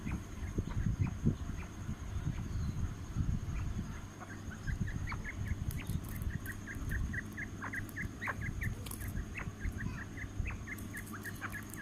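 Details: Quail kept for fighting: scattered high chirps become a fast, even run of short paired notes in the second half, with low rustling and rumbling noise throughout and occasional clicks.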